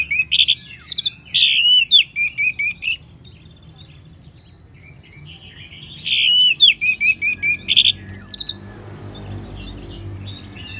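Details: Orange-headed thrush (anis merah) singing as a training sound for other songbirds: two bouts of quick, jumbled phrases of buzzy chatter and rich whistles, separated by several seconds of near silence.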